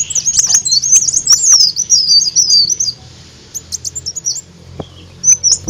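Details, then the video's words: Olive-backed sunbird song used to lure birds: a long, fast, wavering twitter of thin high notes for about three seconds, then scattered sharp chips and a short final burst. "Ampuh Suara Pancingan Burung Kolibri Daun"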